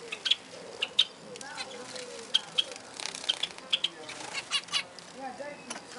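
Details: Several aviary zebra finches (Taeniopygia guttata) give short, nasal, toy-trumpet beeps in an uneven stream, with a soft low murmur underneath.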